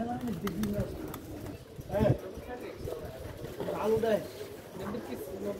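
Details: Pigeons cooing, several soft low rolling coos with rising and falling tones, around two to four seconds apart, over a busy murmuring background.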